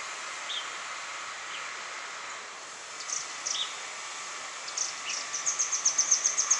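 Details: Grey wagtail, 6 January 2015, gives scattered sharp, high notes, then a quick run of about eight thin, metallic ticks at the end, over a steady rushing hiss.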